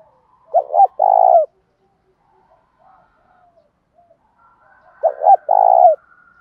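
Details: Spotted dove decoy, provincial-style voice to provoke fights: two matching phrases roughly four and a half seconds apart, each two short coos then a longer sustained low coo falling at the end, quiet otherwise.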